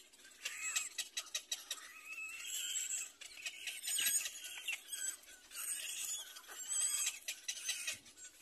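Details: Little black cormorant baby birds in the nest squeal shrilly while competing for their mother's food; thin, wavering high cries rise and fall in repeated bursts, mixed with dry clicks.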